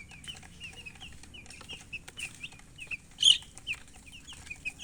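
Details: Clear, well-spaced chick peeps, short high notes repeated several times a second with rising and falling inflections, one loud sharp squeak past the middle, quiet background.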